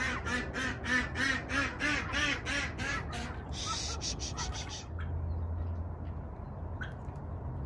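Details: A turkey hen calls to her mate on a chilly autumn morning in the 40s °F, in a wet, mild climate. She gives a quick run of about a dozen hoarse, nasal yelps over three seconds, followed by a rustling burst and quiet farmyard background.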